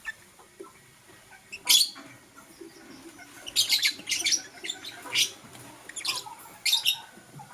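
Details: Morning chatter from a blue lovebird and a green lovebird kept as pets: loud, shrill squawky chirps in irregular clusters, one sharp burst, then a dense run of scratchy high notes with brief pauses.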